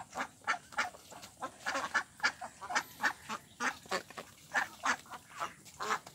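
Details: Ducks at a pond, possibly mandarin ducks, mallards and Pekin ducks, chatter steadily. Several birds overlap, giving short nasal quacks about three or four per second.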